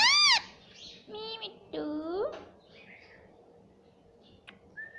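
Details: Talking pet parrot, green ring-necked, indoors repeating "mummy": an opening sharp arched squeal, then harmonic speech-like syllables with falling and rising tones, trailing into soft chatter and a brief whistle.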